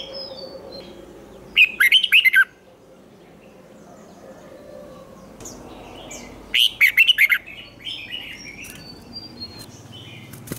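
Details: Red-whiskered bulbul decoy singing fired-up fighting song, with a twisted voice, to stimulate other bulbuls: two short bursts of rapid chattering whistles about five seconds apart over a low hum.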